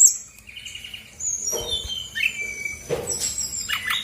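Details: Brown-chested Jungle Flycatcher female from Bali, lure song to spark other birds: thin sustained high whistles and a short trilled phrase, with low rustling noises in the background.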